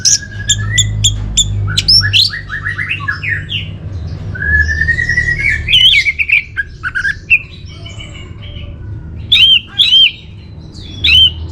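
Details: Orange-headed thrush song used as a lure and master song for caged birds: a long varied stream of sharp whistled notes, fast chirps and slurred rising phrases, with brief pauses and loud bursts near the end over a low steady hum.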